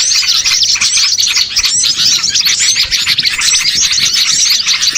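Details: Small birds in a lure recording used to draw birds in for catching: a dense, continuous chorus of many high, sharp chirps and quick whistled notes overlapping without pause, no other sounds.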